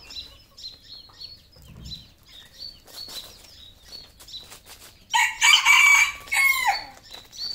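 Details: Red junglefowl on a farm in Cambodia: after a few seconds of faint high chirping from small birds, a loud, harsh, drawn-out crow lasting about two seconds, its final note sliding downward.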